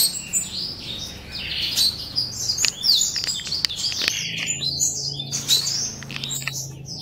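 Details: Young Crithagra atrogularis somereni chicks calling: a busy stream of high, overlapping squeaky chirps and twitters with short sharp clicks, thinning out to scattered notes near the end.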